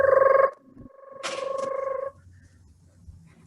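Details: Two bursts of a bright, ringing electronic tone, each about half a second to a second long, then a quiet low hum.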